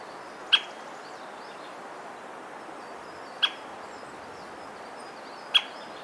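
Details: Hokkaido White-backed woodpecker, Ezo subspecies, repeating abrupt single call notes about every two and a half seconds, three sharp kyo sounds over a soft hiss with faint distant bird whistles; Nikon COOLPIX P950 recording.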